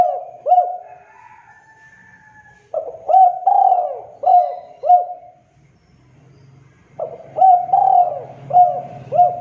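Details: Spotted dove, a female calling to a male, recorded as a lure to prompt other doves to call: three bursts of low, hooting coos with short upswept notes, separated by pauses, with a faint low hum late on.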